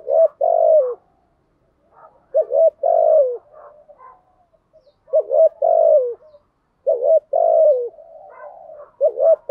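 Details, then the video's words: Lure calling of a spotted dove for attracting wild doves, in urging-coo and calling styles: groups of low throaty coos, brief notes then a long falling coo, repeated in four bursts separated by short pauses. "Tiếng chim cu gáy mồi giọng lôi cuốn hấp dẫn đủ bài[ THÚC GÙ , GÁY GỌI ]"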